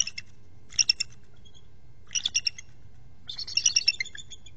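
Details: Bald eagles, a trio at a nest watched by a nest camera, giving high, thin chittering calls in three bursts: a quick double pair of notes, a group of about four piping notes, then a longer rapid run, over a low steady hum.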